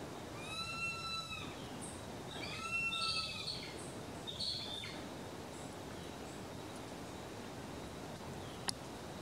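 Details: Male Black-and-chestnut Eagle (Spizaetus isidori) at its nest in Antioquia, Colombia, gives three loud, high, harmonic whistled calls about two seconds apart, the last shorter, over steady wind or rushing-water noise.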